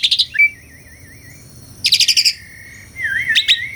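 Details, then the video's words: Asian pied starling in lively, melodious song: sharp high notes, then a long wavering warbled whistle. A dense burst of rapid high chattering follows, then another rising, quavering whistle. "SUARA KICAUAN BURUNG JALAK - JALAK SUREN GACOR MERDU SEKALI"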